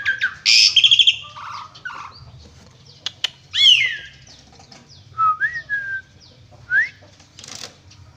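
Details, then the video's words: Asian pied starling (jalak suren) delivering scattered song notes: a loud buzzy burst, then separate rising and falling whistles and brief chatters with quiet gaps between. "Burung Jalak Suren Gacor isian Mewah full Tembakan"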